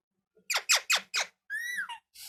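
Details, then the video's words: Pet parrot talking: four quick descending squawky syllables, then a longer clear tone that rises slightly and falls away, ending in a noisy hiss. "Parrot Talking Voice"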